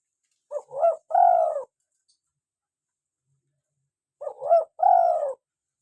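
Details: Local spotted dove, a lively caller recorded as a lure and to prompt captive doves to call: two cooing phrases about 3.5 seconds apart. Each is a quick, mellow double note followed by a longer, slightly falling coo, with silence between.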